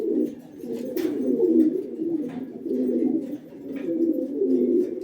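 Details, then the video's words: Steady low cooing from a red-breasted pigeon inside a small room, a throaty rolling murmur rising and falling in loudness, with faint clicks and a short sharp knock near the start. "Red-breasted pigeon"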